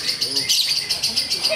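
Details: Lovebird singing in the konslet style: a dense, unbroken, high buzzy chatter with quick pulsing loudness that runs through the whole moment, with low murmurs of people in the background.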